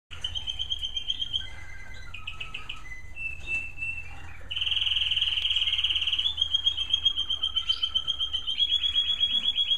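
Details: A couple of American Singer canaries in a bird room in the evening sing varied songs of bright whistled phrases, rapid trills and chattering rolls, shifting every second or two over a low background hum.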